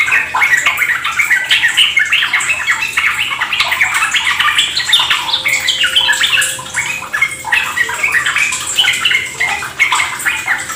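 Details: Captive Yellow-vented bulbul song used to prompt other birds to sing along, played near trickling water: a continuous busy stream of fast, high, bubbly chattering notes with no pauses; Yellow-vented bulbul.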